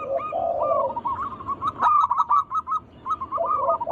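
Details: Zebra dove, wild local bird, with song used to invite other doves to sing: low warbling purrs, then a string of short bright coos with gaps between phrases and a faint click.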